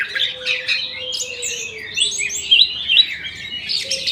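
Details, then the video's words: Birds in an aviary chirp in the morning. Many high, quick tweets and short upward-flicking whistles overlap over a soft, low, sustained hum. "KICAU BURUNG DI AVIARY SAAT PAGI HARI"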